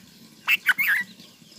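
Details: Newborn bulbul chicks being fed by a parent: three short, squeaky, wavering notes in quick succession, in an otherwise quiet setting.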